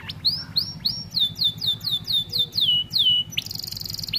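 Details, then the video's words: Starblue American Fancy canary performing a training song for juvenile canaries: around ten clear curving whistled notes that slide downward, evenly spaced, ending in a brief buzzy high trill. "Kenari AF warna starblue gacor lagu unik mewah untuk masteran kenari paud"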